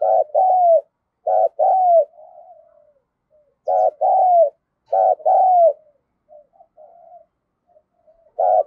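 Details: Spotted dove (cu gáy, 'giọng thổ' voice) giving thúc gù and gáy gọi coos. Paired phrases of a short hoot and a longer arched coo repeat several times, with soft quiet murmured notes between groups.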